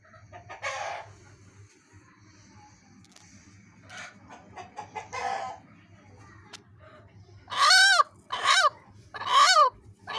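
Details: Egg-protecting hen barking like a dog: soft scratchy clucks and rustles early on, then three loud, hoarse, honking barks close together near the end.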